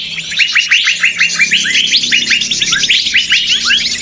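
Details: Lure recording of a noisy flock of small birds for trapping, with rapid, repeated, sharp upward-flicking chirps packed tightly, many birds overlapping in a continuous busy chatter.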